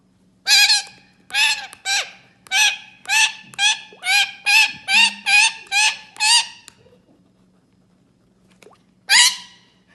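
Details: Parrot giving a rapid series of about twelve harsh, nasal, honking squawks, roughly two each second, then a pause and one final squawk; faint low hum in the background.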